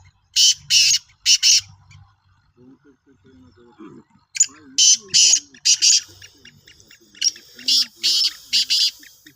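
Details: Repeated harsh, buzzy phrases of a Sindhi black francolin, dated 16 March 2023, come in clusters of three to four grating bursts, with softer murmuring sounds beneath between the series.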